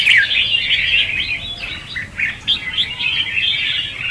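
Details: Short burst of red-whiskered bulbul 'hót ché' competitive song, used to lure and provoke other bulbuls: opens with a clear whistled slur, then flows into fast, jumbled twittering.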